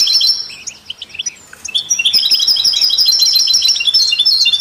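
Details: Goldfinch song meant to stimulate songbirds, from a set with canaries and mules: loud twittering opening, a short lull of scattered chirps, then a rich, sustained stream of high rapid notes and trills.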